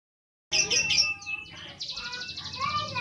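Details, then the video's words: Home-kept lovebird giving a burst of shrill, high chirps and squeaky twitters that start abruptly, then continue as thinner, rapid scratchy chatter, with faint low background noise. "Love bird ( rumahan )"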